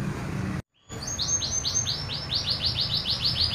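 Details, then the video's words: Natural song of a local canary lacking any learned imitations: after a brief silence, a quick run of repeated high arched whistles, roughly five per second, over low rumbling background noise. "SUARA ASLI ORI MURNI KENARI LOKAL TANPA ISIAN"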